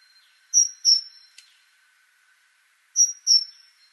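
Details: Great tit (Parus major) delivering paired high, piercing whistled notes, each ending in a short downward slur. The pair sounds twice, about two and a half seconds apart, with a single brief click between them.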